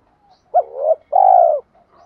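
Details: Decoy spotted dove cooing to call wild doves: a short note sliding into a rising murmur, then one long, smooth, deep coo, on a quiet background.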